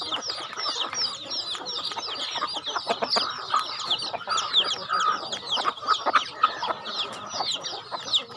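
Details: At feeding time on a rural farm, a flock of chickens keeps up constant shrill down-slurred chirping, with intermittent louder clucks standing out.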